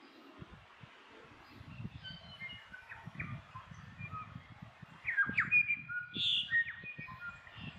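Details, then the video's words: A New Zealand bellbird sings clear, liquid, bell-like notes, soft then a louder ringing burst, over low rumble, in late spring in the Maungakotukutuku Valley, New Zealand. New Zealand bellbird song. "Bellbird Song"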